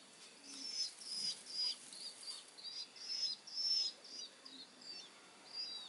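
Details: Long-tailed shrike; begging call; chick begging for food while being hand-fed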